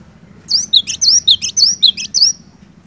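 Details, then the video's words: Cinereous tit singing vigorously, played to stir a silent bird into singing: quick, high, sharp two-note whistled phrases repeated about eight times in under two seconds over a faint low hum. "Burung Glatik Batu Gacor, Cocok Buat Mancing Glatik Malas BUNYI"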